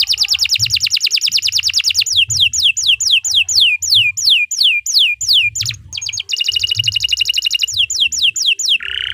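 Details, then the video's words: Canary singing a long gacor song meant for training other birds: a fast rolling trill gives way to a series of descending whistled slurs about three per second, then dense high trills and a brief harsh note, with a faint low hum. "Suara Burung Kenari II GACOR PANJANG Cocok untuk Masteran"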